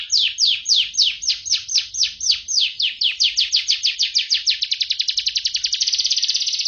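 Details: Canary singing in the 'mabok teler' style, described as captivating: a run of descending sweeping notes that steadily quickens, merging into a fast high rattling trill toward the end.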